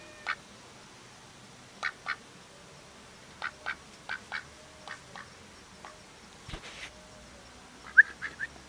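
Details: A duck calling with short, spaced quacks, single harsh notes repeated irregularly about every one to two seconds over a quiet background, with a brief louder burst near the end.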